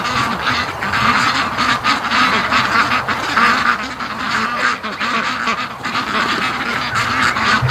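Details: Flock of domestic ducks arriving home after a day of swimming on the lake, spooked earlier and likely hungry; loud, continuous overlapping quacking and raspy chatter from many birds, dense and unbroken throughout.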